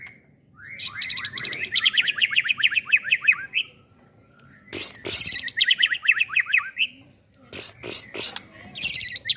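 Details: Young white-rumped shama, groomed for contests and suited as a tutor bird, delivers rapid rattling series of descending chirps in repeated bursts of about three seconds, separated by short pauses and sharp clicks.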